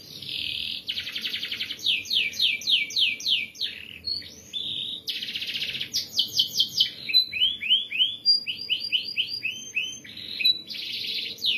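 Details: Canary in full song, a master recording for training other birds, in the dense rolling style called ngerol rapat: fast buzzy trills alternate with series of sharp downslurred notes and high looping whistles, nearly continuous.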